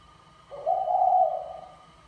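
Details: One long, mellow coo from a male spotted dove of the Mã Phấn type courting a Bài Lối female, rising slightly at the start and then holding steady before fading, with a faint hum behind it.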